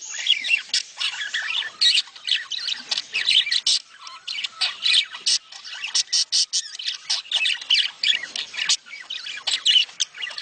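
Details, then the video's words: Budgerigars warble and squawk in a breeding-stimulation mating call: sharp clicky chirps and grating squawks pour out in fast, uneven bursts from a chattering group. "صوت تزاوج العصافير الاسترالي محفز ليهم"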